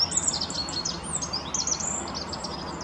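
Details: Rock bunting singing on the Apolloweg at Valwig in the Moselle valley, Germany: a thin, high, rapid jingle of short sliding notes, fairly faint over steady outdoor background noise.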